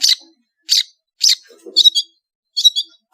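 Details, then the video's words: Vigorous Madura long-tailed shrike singing: three hoarse, rasping notes at half-second intervals, then two quick stuttering chattered phrases, with a faint low sound in between. "SUARA burung CENDET GACOR master full variasi | ASLI cendet MADURA GACOR DOR"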